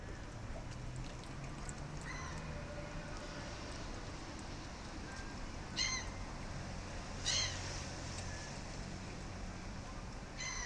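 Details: A gull calling among a group of gulls, only one of them vocal while the rest stay quiet: two loud harsh calls with a nasal, ringing tone, a few seconds apart, plus fainter short calls over steady low rumbling background noise.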